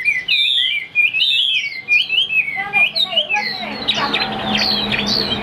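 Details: Caged Chinese hwamei in Vietnam singing loudly: rapid, varied run of whistled slurred notes, rising and falling, then a denser burst of chattering, buzzy phrases toward the end.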